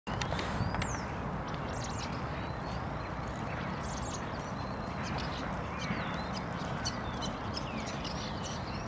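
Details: Common starling in Tivoli Landscape Park, Ljubljana, on 28 February 2022, singing a rambling mix of thin whistles, slurred notes and clicks over a steady low roar of wind or traffic.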